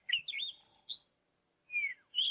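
A Cape Robin-Chat gives a quick run of sweet, warbled whistles, pauses briefly, then adds a falling slurred phrase and a higher fluty note.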